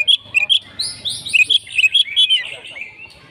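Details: Oriental magpie-robin in full fighting song: quick bright whistled notes and slurs in a hurried run, with a faint low murmur behind.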